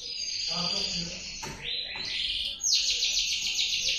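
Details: Male canary singing varied phrases, a steady whistled tone sliding into a fast, buzzy high trill, with a faint low murmur and a click in the background.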